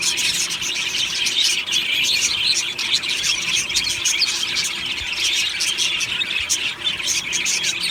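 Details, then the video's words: Budgerigar colony in an aviary giving happy morning song, a thick, unbroken mass of high twitters, squeaks and chirps from many birds at once. "Beautiful Budgie morning happy singing and chirping sounds"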